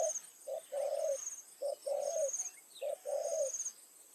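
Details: Decoy spotted dove calling to attract wild doves on an evening trapping session in Thai rice fields. Three quick cooing phrases, each a short note or two followed by a longer purring coo, roughly one per second. Faint insects above.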